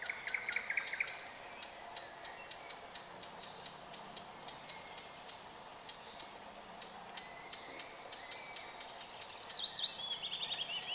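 Red-backed shrike giving short, high chattering notes in quick bursts, with a scratchy warbled phrase near the end; a faint rural background hum underneath.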